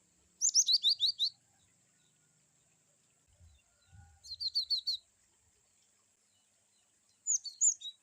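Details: Cinereous tit (glatik batu) in wucit-wucit style varied song for training young birds: a rapid series of high, falling chirped notes opening, a second burst midway, then a short closing phrase, with faint low thumps.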